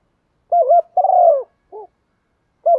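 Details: Spotted dove calling to rouse wild doves: a wavering low coo followed by a long, drawn, falling hoot, then a short soft note, with the next phrase starting at the end.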